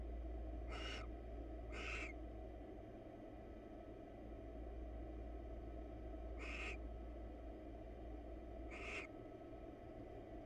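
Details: Barn owl pair, wild birds in a research nest box, preening one another; four short rasping screeches, two close together and then two more spaced about two seconds apart, over constant low background hum.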